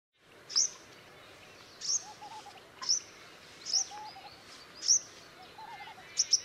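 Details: Purple-rumped sunbird, one of a nesting pair in Sri Lanka: high, thin, sharp chips repeated about once a second, with a low warbling background bird murmuring.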